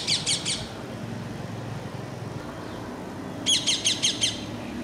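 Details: Parakeet calling: two bursts of harsh, rapid chirps, three notes at the start and five notes near the end, separated by a quiet gap with low rumbling background noise, possibly a distant vehicle.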